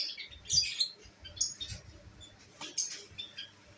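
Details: Pet lovebirds at home, including albino red-eyed birds, make a few thin high squeaks and chirps over low background rustling and patter.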